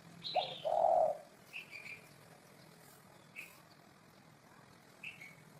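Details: Spotted dove cooing: a loud, low, hollow coo phrase early on. Brief higher chirps from other birds sound over a faint background hum.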